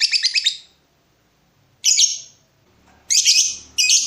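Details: Breeding-mood lovebird challenging a rival: a short rattle of quick high notes, a pause, then harsh grating squawks in separate bursts.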